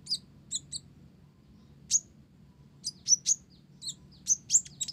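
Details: Blorok olive-backed sunbird in lively song laced with Java sparrow notes. Thin high tweets sound roughly once a second, some doubled, clustering into faster runs near the end, over a low hum.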